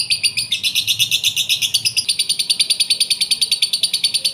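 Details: Lovebird song played so another lovebird will answer: loud, scratchy buzzing chatter, first coarse and uneven, then settling into fast, regular pulses, sustained for the whole clip.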